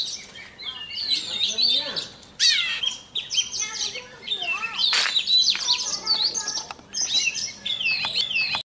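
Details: Oriental magpie-robin used as a decoy, singing every morning to train its voice; vigorous whistled phrases, rapid trills and sweeping slurs separated by short pauses, with a faint low hum behind.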